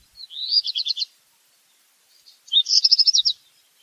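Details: Black redstart singing two phrases about two seconds apart, each a fast, evenly spaced rattling trill of high metallic notes. The second phrase is longer and louder.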